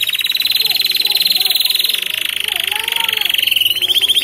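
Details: F1 canary singing nonstop with blackthroat-style song phrases; one long, rapid buzzy trill held steady, then dropping slightly and speeding into a finer rattle toward the end.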